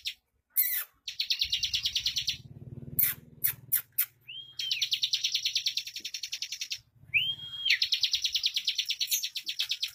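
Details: Caged bar-winged prinia kept for song contests, fast tight delivery: long runs of rapid buzzy high chirps, broken by a few upslurred whistles and sharp clicks, with faint low room noise beneath.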